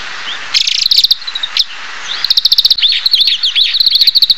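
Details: Oriental greenfinch giving rapid trilled bursts and a few upward slurs, building into a long run of dense twittering and buzzy rolling notes, over a thin background hiss.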